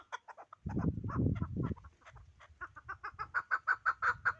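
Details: Pamir chukar partridge: a low rumbling noise fills the first seconds, then sharp clucking chuck notes build into a quick, even series, growing louder toward the end.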